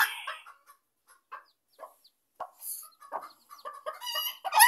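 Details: A Sebright hen protecting her chicks from a dog gives harsh, uneven clucks and squawks in short bursts, growing louder toward the end, where the chicks' thin high peeps also sound.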